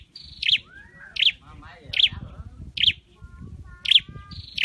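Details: Scarlet-headed flowerpecker in a training cage repeating sharp high chirps about once a second, with softer lower warbling whistles and some background voices in between.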